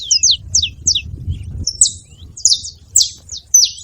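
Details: Saffron finch making noise in a tree: quick pairs of high descending chirps, then a brief pause and louder buzzy slurred notes at irregular intervals.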